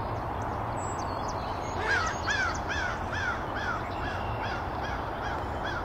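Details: Mallard hen dabbling close to the camera at Canoe Meadows Wildlife Sanctuary, Pittsfield, Massachusetts, on 9 April 2024, giving a run of about nine nasal, harmonic quacks, roughly two per second, over a steady rush of water or wind.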